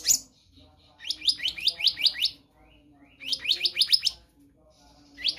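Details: Oriental magpie-robin song, a caged bird used as a training model for other birds: two bursts of rapid, repeated descending whistled notes, about six to seven each, separated by short pauses, with brief chirps at the start and end.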